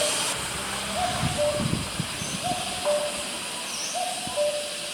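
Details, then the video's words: Distant common cuckoo in Vietnam giving its classic two-note "coo-koo", the second note slightly lower. The pair repeats about every one and a half seconds over steady hissing background noise with low rumbles. "Bird Call: COMMON CUCKOO Calling"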